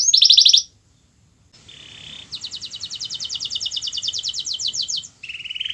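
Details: Canary song for coaxing a reluctant singer: a bright pulsed trill, a short pause, a soft low roll, then a long, evenly rhythmic high trill and a final buzzy phrase over light hiss.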